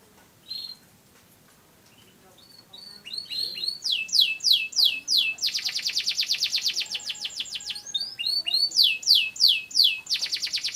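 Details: Indonesian pet canary in full song: after a quiet start with scattered chirps, it launches into long rapid trills of high notes, switching between rolling tours, rising whistles and buzzy stretches with hardly a pause.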